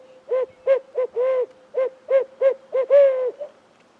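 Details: Unseen barred owl in the trees keeps returning calls on a spring morning before rain: about nine loud, low, clipped hoots in uneven rhythm, two of them longer and drawn out, with a quiet background.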